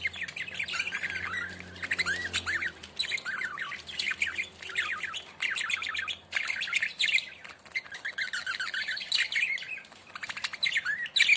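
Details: A puffed-up, sleepy pet budgerigar dozing during the day chirps and warbles in a steady run of fast, scratchy twitters and short whistled notes.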